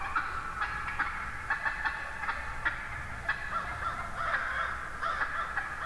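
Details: Morning flock of wild turkey hens close by: a chorus of sharp, hoarse yelps and clucks from several birds, repeated roughly every half second in quick series.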